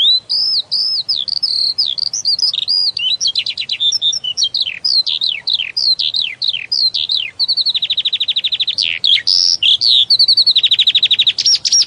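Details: Skylark singing a continuous, high-pitched outpouring of slurred whistles, rapid chirps and fast buzzy trills, with hardly a pause over twelve seconds; a long run of quickly repeated clicks near the end, no other sounds.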